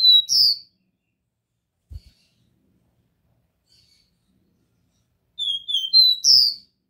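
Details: Copper seedeater's pure Dó Ré Mi song: the tail of one phrase opens, then after a quiet gap with a soft thud, a full phrase of four high whistles rises to a loud, upswept final note.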